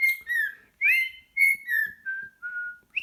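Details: Pet cockatiel song indoors: a chain of pure whistled notes, a rising swoop, then level and gently falling tones, each lower than the last toward the end.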